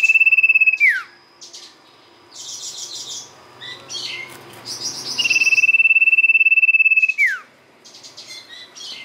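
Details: Sirtu song played as a lure: a high, machine-like trill holding one pitch, then dropping sharply, repeated twice. Bursts of chattering chirps come between the trills.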